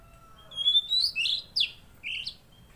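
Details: An actively singing Tledekan Laut gives a thin, high, drawn-out whistle, then several loud, sharp, downslurred chirps and a final squeaky note.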